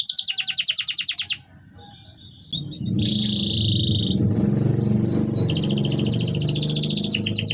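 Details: Lure song of a canary meant to prompt other canaries to sing: a fast high trill, a brief pause, a sustained buzzy note, then looping sweeps and a rapid rolling trill over a steady low rumble of background noise.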